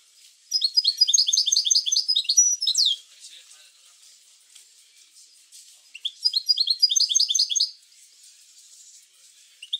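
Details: European goldfinch bitbita song, played to make goldfinches sing: two long, rapid twittering trills of bright repeated high notes, each lasting about two seconds, separated by a quiet stretch.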